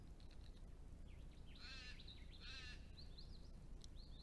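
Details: Spring arrival of a migrant Sacred kingfisher on a property in south-eastern Australia, calling as a pair sets up breeding territory: two strident, grating notes about a second apart, surrounded by fluty whistled phrases of other birds over low hum.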